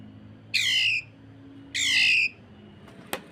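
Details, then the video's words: Greater green leafbird, a tutor bird for other leafbirds, giving strange rough sounds: two harsh, buzzy squawks about a second apart, each sliding downward, followed by a sharp click. "MASTERAN DAN PANCINGAN Cucak Ijo. Kasaran Rapat Mesin Jahit dan Suara Aneh"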